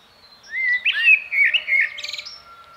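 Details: Common blackbird singing a short phrase: mellow, fluty warbled notes, then a thin, high, scratchy twitter at the end, in a quiet setting.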